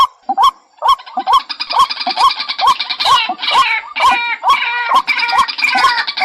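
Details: White-breasted waterhen calls compiled as a lure recording for trapping birds: loud harsh repeated notes about twice a second, each with a rising tonal element and broad noisy overtones, steady and insistent.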